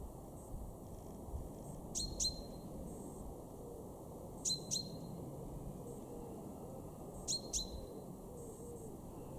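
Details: Male chaffinch, a garden bird at Weener, East Frisia, Germany, March 2023: evenly spaced doublets of sharp, ringing 'pink' notes, three pairs in all, roughly every two and a half seconds, against quiet ambient noise.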